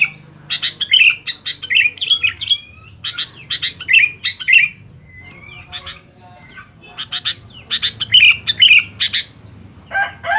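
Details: Sooty-headed bulbul singing noisily to challenge rivals: groups of sharp chirps and liquid slurred notes, with a thin rising whistle near the middle, a short quiet spell, then more chirping bursts.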